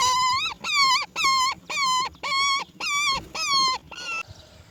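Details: ['Baby roller being fed black crickets by its mother; seven loud, nasal, harmonic calls, each about half a second, level then dipping at the end, repeated roughly every 0.6 seconds, with a softer final note.']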